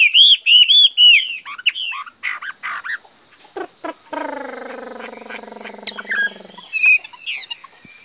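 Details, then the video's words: Chinese hwamei song opening with repeated looping whistled notes, then scattered short calls, a long low buzzy nasal tone lasting about two seconds, and a final few bright whistles. "Singing nightingale. amazing bird song. Garrulax canorus"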